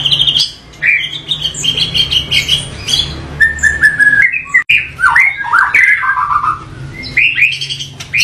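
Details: White-rumped shama in a strong, varied song: clear whistles, swooping slurs, chattering and harsh notes strung together almost continuously, with low hum behind.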